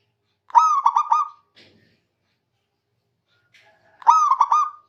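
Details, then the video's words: Zebra dove of local stock singing hard to summon an opponent; two rich, resonant phrases, a held coo dissolving into a fast stutter of hoots, separated by a short quiet pause. "Perkutut Lokal Gacor Memanggil Lawan Cepat Bunyi"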